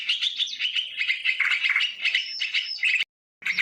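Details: Sooty-headed bulbul in a live outdoor lure recording: fast warbled chatter with a high whistled line, broken by a short silent gap before resuming.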